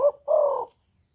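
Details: Spotted dove from Cà Mau, Vietnam, recorded as a lure to excite decoy doves: one low, hollow two-part coo, a brief note then a longer sustained one, against clean silence.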